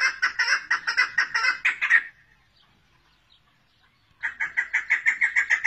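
A female chukar gives a fast, even series of clucking chuck notes, about four a second. It pauses for two seconds, then starts again.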